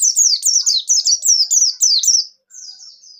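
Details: Bustomi white-eye pouring out a continuous fast phrase of high, sharply descending slurred whistles, about four notes per second, ending in softer trailing notes; used as a lure to make other white-eyes sing.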